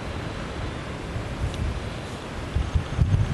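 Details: Only low, rumbling wind buffeting the microphone is heard, with no animal calls.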